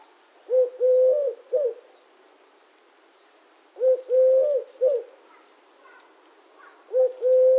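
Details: Repeated three-part coo of a Eurasian collared dove, a brief note, a drawn-out middle note and a clipped ending, phrases spaced roughly three seconds apart over quiet background with soft distant bird notes.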